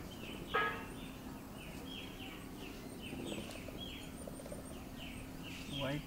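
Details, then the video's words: A Green-backed tit, flushing insects from shrubs and feeding on the ground, gives a steady run of short, high, down-slurred chirps, several each second, with a loud rough burst near the start and low background noise. "Green-backed Tit chirpily"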